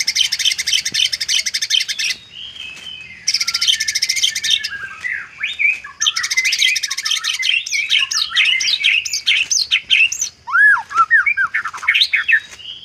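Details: Isian song of a white-rumped shama, varied and packed with mimicry: dense buzzy high stretches broken by loud slurred whistles and rising and falling loops, nearly continuous.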